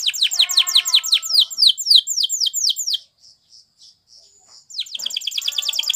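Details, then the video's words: A Spanish Timbrado canary delivers a training song of rapid, ringing descending notes for three seconds, pauses with a few soft high pips, then bursts into a quick rolling trill. "The Canary's Deadly Seduction Invites Your Canary To Sing Immediately"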